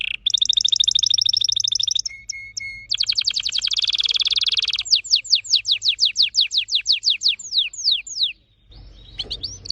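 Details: Fast-singing red factor canary, orange-red in colour: rich buzzy trills and low pips, then a long chain of steeply falling whistles, ending in short soft notes.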